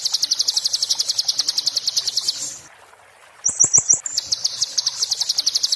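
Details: 'Muntah beling' song of an Oriental white-eye, meant for tutoring magpie-robins: a long, very fast, high-pitched trill of sharp repeated notes, a brief quiet gap, a buzzy four-note burst with clicks, then the trill resumes.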